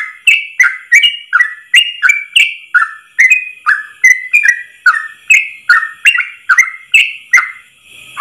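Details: Training song of a Yellow-vented bulbul, a long 'ropel' delivered in one breath: an even, fast series of bubbly whistled notes, alternating higher and lower pitches, about three every second throughout.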